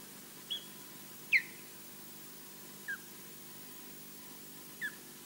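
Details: Osprey at its Loch Garten nest in Scotland, guarding it alone against an intruder seen only distantly: four short, downward-sliding whistled calls spaced irregularly, the second loudest, against quiet background hiss.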